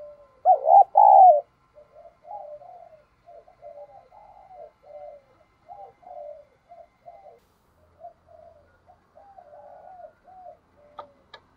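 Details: Decoy spotted dove luring wild birds: one loud cooing phrase at the start, then a long run of fainter repeated coo phrases, likely other doves answering, with a click at the end.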